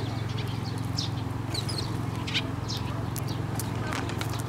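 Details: Sparrows flying onto a hand to be fed at a Tenmangu shrine on 9 May 2024; short, high chirps and quick twittering bursts come scattered through, over a steady low mechanical hum.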